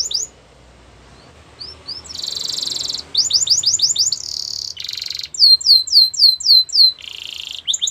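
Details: Domestic canary singing a training song: quiet start, then bursts of dense buzzy rolls, rapid descending whistled sweeps and high repeated chirps in quick varied phrases.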